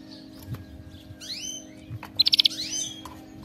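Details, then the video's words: Canary singing, played as training for pet canaries: a few high rising whistled slides, a quick burst of about five sharp pulsed notes, then more sweeping whistles, over a quiet low hum. "صوت كناري مذهل لتدريب وجعل طائرك الكناري يغرد بلا توقف canary singing training bird"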